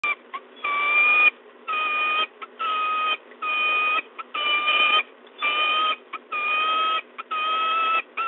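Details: Male peregrine falcon bringing small prey to the nest ledge at De Mortel, Netherlands, on 13 April 2022 just before 7 a.m.; a strained, harmonic wailing call repeated about once a second in drawn-out notes, each followed by a short clipped note.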